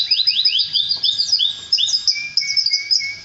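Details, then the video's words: Canary singing, a song said to lead the male to mate with its female; quick sweeping slurred notes tumble into one another, followed by a series of lower, steady whistled notes repeated evenly. "تزاوج طائر الكناري مع أنثاه بعد سماعه هده البتبته"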